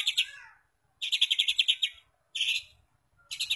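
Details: White-rumped shama lure song, used to provoke other shamas into singing: bursts of rapid, bright, rattling notes lasting about half a second to a second, separated by short silences.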